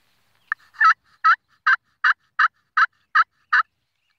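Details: A wild turkey gives a run of nine clipped, raspy yelps, evenly spaced at about two and a half per second, with silence around them.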